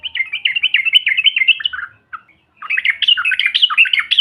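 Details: Yellow-vented bulbul giving ombyokan-type trucukan, meant to provoke other birds. A fast run of bright, bubbling notes leads to a lower phrase and a pause, then a louder, more varied cascade of warbled notes.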